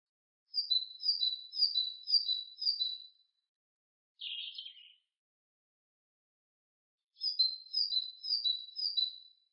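A great tit sings two bright, high phrases of quick two-note 'tea-cher' units, five in each, split by a short rasping call.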